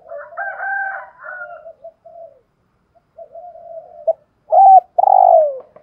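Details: Decoy spotted dove of 'giọng thổ' voice. Soft murmured cooing and a faint higher overlapping sound give way to a loud hooked coo and a long falling coo near the end.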